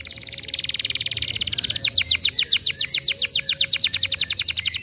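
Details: Canary song played to stimulate other canaries to sing. A high buzzy trill breaks into a rapid run of sharp repeated notes, roughly eight per second, over a low steady background hum.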